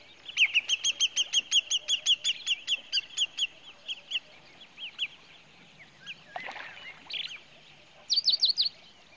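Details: Pied Kingfisher in Kruger Park, South Africa, giving rapid high-pitched twittering calls, about fifteen sharp notes in quick series, then a pause and a brief second burst near the end.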